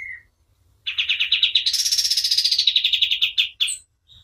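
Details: White-eye singing vigorously, as a tutor recording for training other birds: a short whistle, a pause, then a dense, fast, buzzy trill of about three seconds. The trill rises slightly in the middle, then ends with a few separate chirps.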